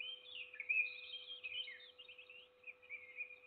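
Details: Peregrine falcon in Trzebież forest district, Poland, feeding its single chick, recorded 7 May 2022: a continuous high, thin, wavering squeal with rising and falling slurs, over a steady low electrical hum.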